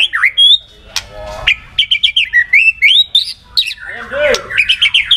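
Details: White-rumped shama song meant to provoke other shamas into singing: a varied, rapid medley of high whistles, slurred rising notes and buzzy chatter, with sharp clicks.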